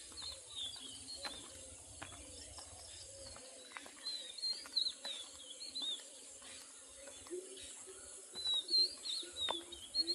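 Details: Birds chirping on a summer morning in a rural Bengal village: thin, high twittering notes in scattered short bursts, louder toward the end, over steady hiss, with a low rumble during the first few seconds.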